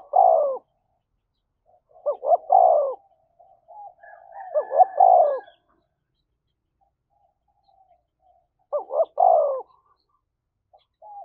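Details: Spotted dove with a thổ voice, cooing to provoke a fight: four hoarse, hooting phrases, each a fast double note and a long sliding coo, spaced several seconds apart, with soft murmured notes in between.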